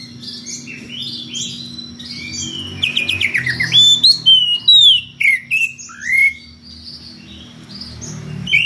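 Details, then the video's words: After a quiet start, an Oriental magpie-robin summoning a rival breaks into ngeplong song: rapid stuttering notes followed by loud, separate whistled phrases with swooping and dropping pitch, fading to soft high notes. "SUARA KACER NGEPLONG MEMANGGIL LAWAN DENGAN VARIASI SUARA ANEH"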